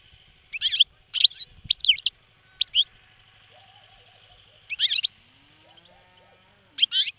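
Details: European goldfinch caught 28 December 2011 near Stolac and kept caged, giving scattered short phrases of liquid, tinkling twitters separated by pauses, with a low steady hum and faint soft background sounds.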